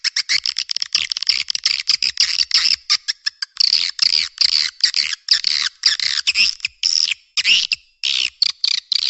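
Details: Lure recording for swiftlets, new year 2023 edition: nearly continuous high, scratchy chattering with quick clicks and buzzy squeaks packed close together throughout.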